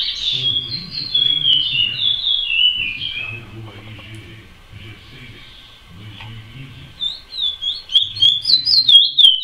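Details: Chestnut-bellied seed finch singing in the praia style, bright whistled phrases sliding and stepping downward at the start, a pause filled with low murmuring, then a rapid run of sharp, repeated whistled notes at the end.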